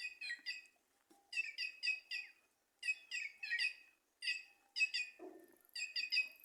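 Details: Cancão, or white-naped jay, in trees at Simões, Piauí: repeated grating, squawky phrases of three or four notes with short pauses and a brief low sound partway through.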